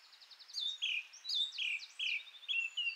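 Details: Singing song thrush delivering short runs of bright slurred whistles and clicky notes, phrases repeated in quick groups, with a faint hiss behind.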